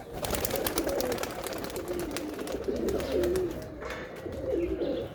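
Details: Distinct rolling pigeon coos, each note bending up and down, repeat over a dense low murmur of other cooing birds and clicking noises.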